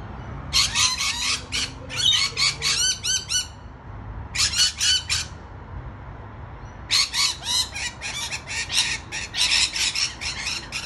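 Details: Rainbow lorikeets on a balcony screech in long bursts of harsh, rapid squawks, several per second, with a short pause mid-way before the loud chorus resumes.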